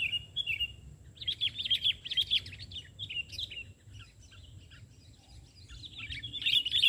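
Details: A bulbul is being lured in a trapping session and sings eagerly from the ground, not a branch. It gives quick, bright, chattering notes in irregular bursts, with a brief lull midway and a louder flurry at the end.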